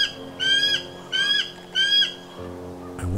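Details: Very vocal bald eagles in Northern Ontario, on a trip to Thunder Bay. One gives three thin, squealing calls, each under half a second, about one every 0.7 seconds, over a low steady hum.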